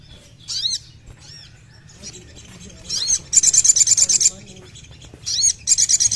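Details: Crimson sunbird, sound meant to make a kept bird sing: thin, high, twisting squeaks, then a long fast string of bright, clipped notes and a second shorter burst.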